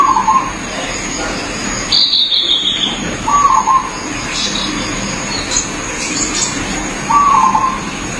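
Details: Zebra dove in its natural habitat: short trilled, purring coo phrases, each about half a second, repeated every three to four seconds, with a higher descending whistle from another bird and a steady background hiss.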